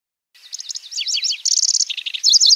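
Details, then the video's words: {'text': 'Lanceolated warbler nyecret song with rolls and sharp shots: a series of dipping slurred high notes, a clipped even trill, a lower rasping phrase, and quick bright repeated chips.'} "Suara Burung Kecici Belalang | Nyecret Durasi Panjang"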